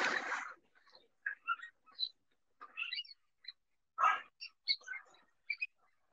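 Eurasian Wigeon giving short, squeaky whistled calls in quick, uneven bursts, some rising then falling, like a squeaky toy; a brief rough noise opens the recording.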